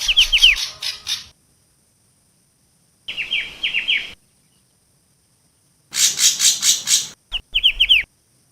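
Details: For luring birds, a Javan long-tailed shrike alternates scratchy rasping chatter with runs of sharp, quickly falling chirps. Phrases last one to two seconds, with silent gaps between them.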